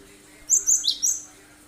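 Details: Cinereous tit singing sharp 'shot' notes, a lure to make other birds sing and mimic; four high, ringing notes in a quick phrase, the third slightly lower.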